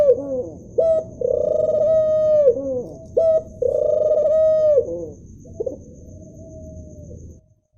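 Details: Cooing of a male ring-necked dove, with two full phrases of a brief lead-in note and a long level hoot falling away at the close, then a softer trailing coo before quiet. A thin constant tone hums in the background.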